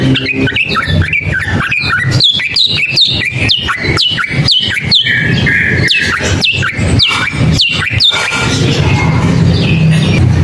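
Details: Long-tailed shrike singing a rapid series of sharp, downward-sweeping notes, many repeated quickly for about eight seconds before fading, over a steady low hum.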